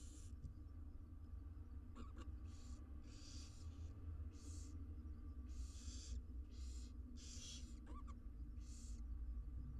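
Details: Barn owl nestlings, six wild chicks in a monitored nest box, beg while being fed, with repeated breathy hissing bursts, around eight in ten seconds, plus two brief thin chirps and a low hum.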